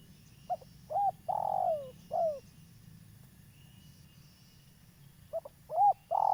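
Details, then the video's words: Spotted dove, a local bird calling steadily, used as a trapping lure: a full phrase of clipped note, coo, long descending quavering coo and closing coo, a pause of about three seconds, then the next phrase begins. "Tekukur lokal gacor , cocok untuk pancingan"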